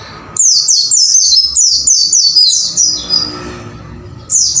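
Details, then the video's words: White-eye in a cage singing for training, a brisk string of bright high notes, each sliding downward, about four per second, fading into soft noise before a final burst. "MASTERAN BURUNG PLECI AGAR GACOR WUCIT WUCIT"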